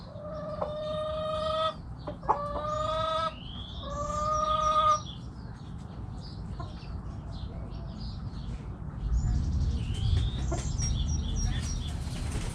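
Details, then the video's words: Backyard chickens with roosters crowing: several strong, harsh, drawn-out calls in the first five seconds, each about a second long, then quieter clucks, high chirping from small birds, and a rising low rumble. "Backyard Chickens Making Noise! Hens Clucking Roosters Crowing"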